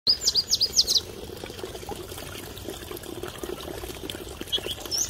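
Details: Masked wagtail in its natural habitat at Mahodand Lake: a quick burst of five or six sharp, high chirps packed into the first second, then only steady rushing water and a faint high note near the end.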